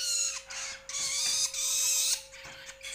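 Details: Juvenile Long-tailed Shrike, known locally as toed, cendet or bentet: loud harsh rasping bursts with a broad high-pitched noisy texture, in long blocks of about a second, separated by short gaps and faint clicks.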